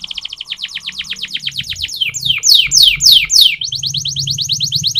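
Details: Canary singing a training song: a rapid roll of downward-slurred notes slows into loud long swoops, then a quick even trill, over a faint low hum.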